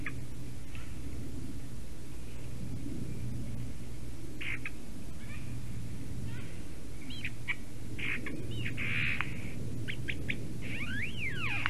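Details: Visiting a Latvian black stork nest at 9:47 AM on 11 April 2019, a Eurasian jay delivers a varied, interesting song of soft chatters building to clicks, rasping bursts and swooping slurred whistles, steady low hum throughout.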